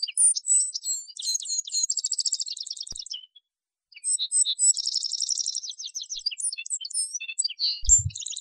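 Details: Atlantic canary male in full song, rolling fast trills and sweet high whistles in two long phrases split by a brief pause, the second opening with a rapid chattering trill, then a faint low thump near the end.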